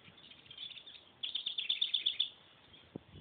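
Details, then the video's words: Pet tufted titmouse begging while being hand fed: a quick burst of about ten thin, high chirps packed into roughly one second, followed by quiet and a single soft knock. "Tufted titmouse being hand fed"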